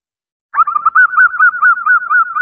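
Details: A zebra dove hen calls for the male after half a second of silence. Quick, evenly spaced cooing pulses run at a level mid pitch for almost two seconds, with no other sounds.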